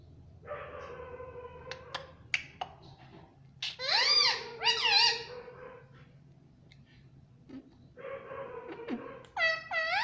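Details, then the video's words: Pet parrot that talks, said to say "mummy" and "mitthu": several drawn-out, harmonic voice-like syllables, two louder bending ones in the middle, then a final rising squeaky note, over a low steady hum. "Ye mittu mummy bolne wala tota [] Talking Parrot [] mitthu mitthu"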